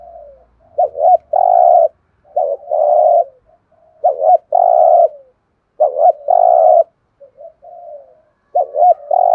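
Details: Spotted dove cooing in the thúc gù style, five loud phrases about every one and a half seconds, each a quick two-part warble and a drawn-out level hum, with soft low coos between them.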